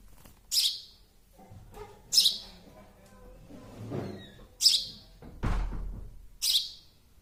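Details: Baby sparrow giving loud, harsh, high chirps, four spaced about two seconds apart, with soft knocking and rustling between them.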